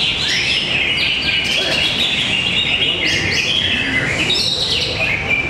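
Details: Singing contest in Tapos, Depok, with a greater green leafbird: rapid varied whistles and chattery slurred phrases mixed with other competing birds and steady crowd noise.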